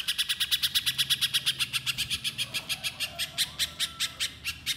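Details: Little spiderhunter recording meant to spur other birds into song: a steady run of bright, clipped, high notes repeated quickly and evenly for nearly five seconds, with a faint low background drone.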